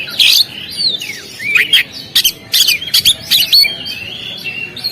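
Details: Oriental magpie-robin (kacer) on a contest stand, singing varied sweeping whistles, harsh scratchy bursts and sharp chirps in an irregular, rich sequence.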